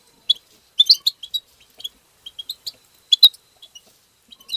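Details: European goldfinch in a 'tabta' twittering song played to stimulate goldfinches: bright, scattered high chirps and tinkling notes in short bursts, separated by brief silences, with one louder sharp note near the end.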